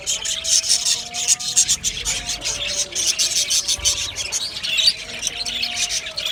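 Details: Aviary colony of Australian budgerigars keeps up continuous bright chirping and twittering, many birds overlapping in quick high notes, with a soft steady tone in the background.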